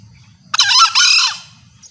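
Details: Female green junglefowl call, used as a lure that draws in males, notably a rooster separated from his hen. A loud, harsh, broadband squawk in two joined bursts lasting about 0.8 seconds, over a faint low hum.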